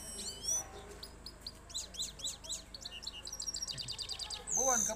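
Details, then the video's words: Trained goldfinch in a two-steps singing contest against another goldfinch: fast, high twittering phrases of varied chirps and short buzzy trills, with a quick run of repeated notes near the end, then a man's voice breaks in. "Gold finch Vs gold finch two steps singing"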